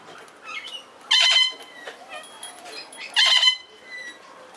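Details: A captive male Princess parrot courting a female, having just been feeding her while she seems more interested in sleeping, gives two loud, harsh, grating screeches about two seconds apart, with fainter chattering and a distant voice between them.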